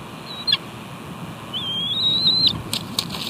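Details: Bald eagles squabbling over food at a nest, the male refusing to share his meal and nipping at the female; a thin, high whistled call rises slightly and holds steady for about a second, with wing flaps and a clicking sound around it.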